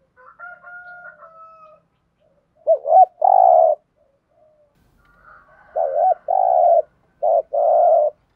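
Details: Spotted dove cooing in the "thúc gù" style: faint steady tones open, then a phrase of a quick rising double note and a long, sustained, deep coo, repeated after a pause with an extra short coo.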